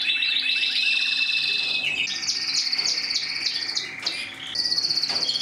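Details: Mosaic canary song with a fast rattling trill followed by varied whistled phrases and chopped repeated notes, ending in a quick renewed trill.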